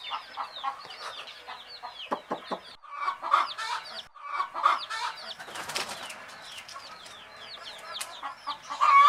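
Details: Baby chickens peeping with curved, falling high notes among rustling and wing-flapping sounds, the peeps louder and more spaced than a settled chorus.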